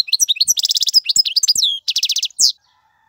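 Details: European goldfinch male, singing for chick tutoring, delivers dense tinkling twitters broken by two rapid buzzy rattles and a final slurred note within about two and a half seconds.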